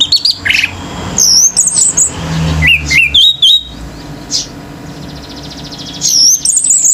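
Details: Male orange-headed thrush in intense nonstop 'gacor teler' singing that sets other birds off: high whistled phrases with quick upslurred and looping notes, short bursts separated by pauses, over a steady low rumble like passing traffic.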